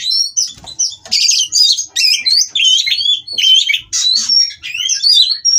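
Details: Oriental magpie-robins at a breeding farm during mating, stirring rivals into song: fast, energetic sequence of piercing whistles, upslurred and downslurred notes and buzzy trills in short, closely packed phrases.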